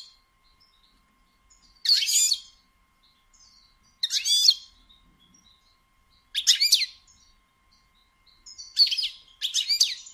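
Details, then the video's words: A female European goldfinch (Carduelis carduelis) gives short bursts of high, tinkling twitters, each under a second, about every two seconds, with quiet between; the call is used to stimulate males to sing. "بتبتة أنثى الحسون"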